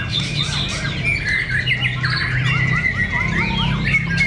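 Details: White-rumped shama fighter birds in a fierce song contest at Cibinong: rapid, overlapping whistled and chattering phrases with sliding notes from several birds at once, over a steady low hum.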